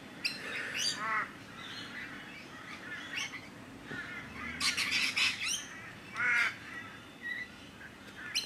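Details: Rainbow Lorikeets at a bird sanctuary, wrestling on the ground in a dominance display to sort out their pecking order. Harsh, grating screeches come in irregular bursts, with a denser shrill burst of chatter midway and scattered sharp squawks throughout.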